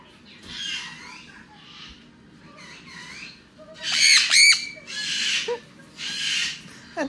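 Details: Pet sun conure screaming and demanding snuggles, loud and close in the owner's ear: harsh, buzzy squawks in bursts about every second, loudest as a clipped double scream midway. A cockatoo screams in another room behind a closed door.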